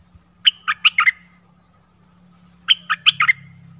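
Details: Dok taeng bird song in its original voice: two short phrases of four or five sharp, bright chirps, about two seconds apart, over a faint low hum.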